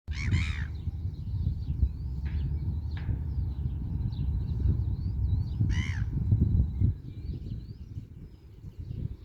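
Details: Seagulls playing and chatting with each other: two loud, harsh, laughing calls at the start and near six seconds, a few faint sharp calls between them, all over a steady low rumble.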